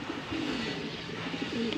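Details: Faint, low cooing comes from pigeons during pairing for breeding. A few soft, bending coo notes sit under a steady hiss of background noise.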